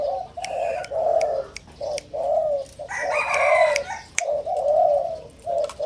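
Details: Hybrid 'sai din' line Spotted Doves, just over five months old from the first clutch, excited and beginning to crow: rhythmic groups of deep, husky coos with short gaps, a brighter higher-pitched bird call midway, and sharp clicks.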